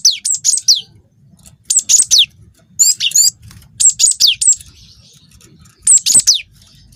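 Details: Cinereous tit, young wingko bird, singing strongly to provoke other birds: five short bursts of two to four piercing whistles, many closing with a falling slur, spaced irregularly over several seconds.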